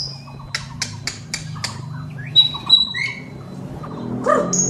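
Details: White-rumped shama in full, vigorous song with mimicked fill notes, used for training birds in the morning; sharp vertical clicks and chips, a few high piercing whistles and a rising note, over a low steady hum.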